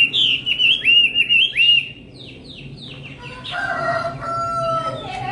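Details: Nightingale singing: a run of loud, slurred, high whistled notes rising and falling quickly for nearly two seconds, then quieter, softer warbled phrases with some steady tones and a faint low hum behind.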